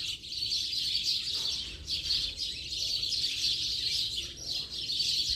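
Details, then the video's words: House sparrow flock at late afternoon: a dense, continuous chorus of high chirps and tweets from many birds, rising and falling in waves every second or so, with a steady low background rumble. "Bando de Pardais Cantando Baderna de Final de Tarde!!!"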